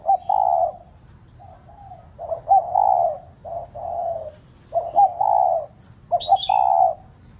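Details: Repeated soft coos of a spotted dove, played to coax captive doves into cooing: short stuttered notes run into longer mellow coos in an irregular series, with a faint high chirp near the end.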